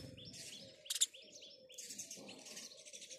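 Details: House sparrow chirping in the morning: a run of short, bright chirps repeated in quick succession, with a sharper, louder burst of notes near one second and a low, steady background hum.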